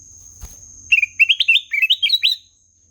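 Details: Kutilang emas delivering a lively run of about ten short, chirpy, up-and-down warbled notes in quick succession, preceded by a soft thump.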